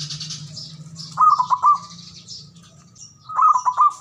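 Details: ['Male zebra dove calling to lure quiet doves into song: two short bubbling coo phrases of rapid pulsed notes, separated by a pause, while higher twittering birds sound faintly behind']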